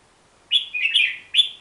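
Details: A Hook-billed bulbul from Borneo's forests delivers a quick run of clear, slurred whistles rising and dipping, then a final bright note.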